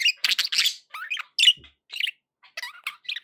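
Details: Happy domestic budgerigars calling in brief scratchy chirps and rising squeaks, groups of two or three notes separated by short silences.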